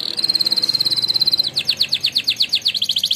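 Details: Champion canary from a singing contest in a training song: a high steady buzzing trill shifts into slower, evenly spaced swooping notes repeated several times a second.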